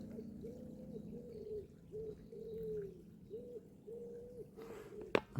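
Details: A wood pigeon, somewhere up in the trees of a forest near a small creek in a valley, gives soft, hollow coos in a steady repeated phrase.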